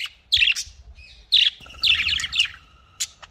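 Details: A budgerigar from a breeding setup gives loud, scratchy, warbling chatter in three bursts, separated by short pauses and a thin sustained whistle. A single sharp chirp ends the sequence.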